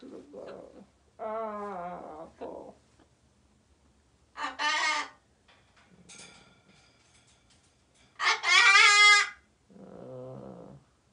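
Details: Escaped pet parrot calling to wake a person sleeping in late: loud, harsh, rasping squawks and a nasal harmonic call come in separate bursts several seconds apart. A person speaks briefly.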